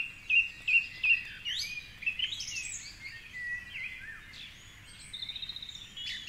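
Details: Male song thrush singing at 4.45am on a dark Sunday morning from a tall treetop near the Curragheen River, Cork City. A sharp whistled note given three times, then varied chirpy phrases and a fast rattling trill.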